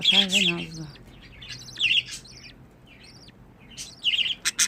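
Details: Pet budgerigars chattering: clusters of high, scratchy, buzzy chirps in short bursts around two and four seconds, preceded by a person speaking in a low voice at the start.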